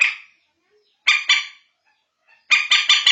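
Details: Night luring call of the bantiung, or common moorhen: a lone harsh note, a pair of grating notes, then a quick run of four loud nasal notes.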